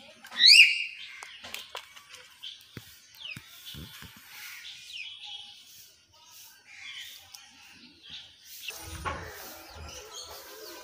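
A hill myna opens with a loud, sharp whistle sweeping up and down, then gives scattered squeaky, speech-like chatter and clicks, with a rustling burst near the end.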